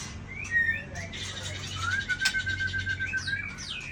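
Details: White-rumped shama singing at a songbird contest: short rising whistles, then a long steady whistled trill held for nearly two seconds, overlapped by other birds' chirps and a low hum.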